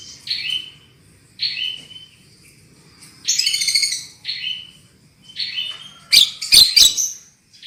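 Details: Javan myna lure song meant to make birds sing loudly: clear downward-slurred whistles repeated about every second, a buzzy trilled phrase, then three loud harsh squawks at the end.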